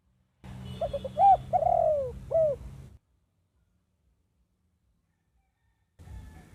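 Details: Zebra dove song played as a trapping lure for wild doves: one phrase of brief stuttered notes, a long falling coo and a short final coo, followed by silence.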